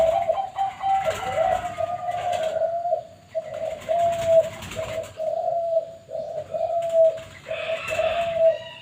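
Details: Zebra dove, Perkutut Bangkok type, at a bird farm, singing a steady run of mellow, slightly wavering coos in short linked phrases, broken by brief pauses, with a few faint chirps from other birds.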